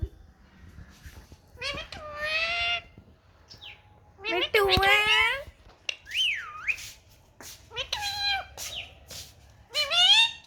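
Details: Pet Indian ringneck parakeet, a talking bird in a happy mood out in the sun, mixes short speech-like phrases with clear whistles and sharp chirps, each sound separated by brief pauses and followed by a soft background hum.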